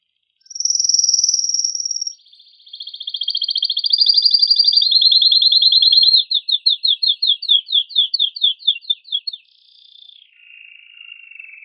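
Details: Strong excited song from a male canary, given to prompt canaries to mate: a high sustained trill, a lower buzzy rolling trill, then spaced descending chip notes and a softer low trill at the end.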